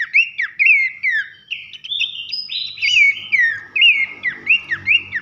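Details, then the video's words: Clean loud whistled song of Horsfield's babbler, pelanduk semak, in a masteran for training songbirds: sweeping rising and falling whistles, a few high sharp notes mid-way, and faint low noise toward the end. "masteran nembak nyiul keras khas pelanduk semak"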